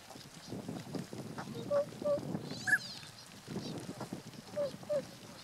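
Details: Tundra swans on 1 January 2014 giving paired short nasal honks, one higher squeaky note in the middle, over rustling and low background noise.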